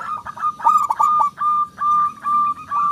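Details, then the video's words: Lure song of a local zebra dove for setting other doves singing: a brief jumble of rapid notes followed by drawn-out, level cooing tones at steady intervals. "perkutut lokal gacor suara besar pancingan super ampuh 100 % di jamin ikut manggung"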